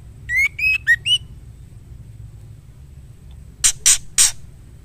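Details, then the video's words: Female white-rumped shama calling for the male. Four quick whistled notes, each sliding upward, then a silence and three coarse, scratchy bursts in an even row. "Murai betina gacor memanggil jantan"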